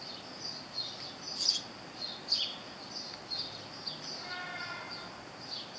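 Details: A house finch on a thistle sock feeder gives brief, sharp chirps, roughly one a second, over a steady high-pitched outdoor hiss.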